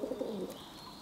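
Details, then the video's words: Pigeon calling, recorded 11 June 2022: a quick run of low, soft, pulsing coo notes lasting about half a second and dropping slightly at the end, with a faint high bird note behind. "Kyyhkysen ääntely"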